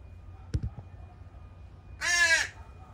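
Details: A young crow, one of several juveniles dropped off by at least three crow families at a feeding spot one morning, gives a single loud, rasping, wavering begging caw after a couple of soft knocks.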